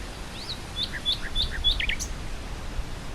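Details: Nightingale in windy grassland: a rising-falling whistle opens, then four repeated sharp notes, each followed by a lower chirp, ending in a slurred buzzy flourish, with wind hissing throughout.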